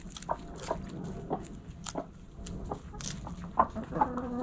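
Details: Backyard hens in the coop clucking softly, brief scattered notes with clicks and rustling, a couple of louder clucks near the end over a low hum.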